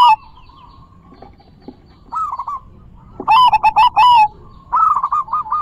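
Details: Zebra dove cooing played to stimulate other doves to sing: after a long level whistle, quick hooked coo phrases come, then a loud, rich, rattling burst of notes, followed by further rolling coos.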